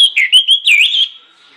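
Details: Orange-headed thrush song used as a lure to make other birds sing: one short burst of loud, clear whistled notes that rise and fall, then fade away.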